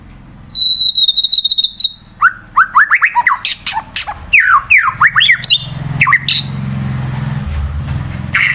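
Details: Fighter white-rumped shama, caged, in Wonosobo, Central Java, Indonesia, its song meant to stir rivals into singing; a steady high whistle train opens, followed by quick downslurred and upslurred whistles and harsh bursts, with a low hum underneath.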